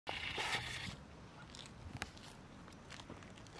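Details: A Yellow-legged Gull gives one harsh, nasal call lasting under a second, followed by scattered clicks and soft background noise; recorded 21 January 2024 at Prule, Ljubljana.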